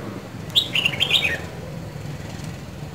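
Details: Two-season red-whiskered bulbul from Dak Lak, Vietnam, in bộng song: one short run of bright warbled whistles near the start, somewhat softer, then a steady low rumbling background noise.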